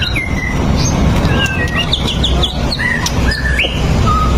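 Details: Lively White-rumped shama song used to coax other shamas into singing: quick, varied whistled notes, some sliding down, others short and clipped, delivered steadily over heavy low-pitched background rumble.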